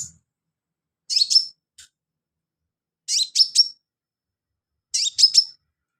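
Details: Sunbird, kept as a filler-song tutor for other songbirds: three clean phrases about two seconds apart, each a pair of sharp, high chips ending in a thin, level whistled note, with silence between them.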